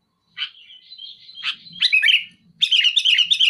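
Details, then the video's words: Sooty-headed bulbul singing to pressure a rival: a drawn-out wavering whistle with swelling notes, a brief pause, then a dense rapid chatter of bubbly whistled notes, over a faint low hum. "Suara burung kutilang gacor muntahin isian besetan keras pedas tembakan rapat menekan lawan"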